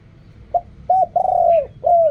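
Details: Spotted dove cooing in the Thai keepers' 'riak kham, khu kham, ok rong' style: a short clipped coo, a longer coo, then a drawn-out falling coo and a final sliding coo, with a faint higher chirp mid-phrase.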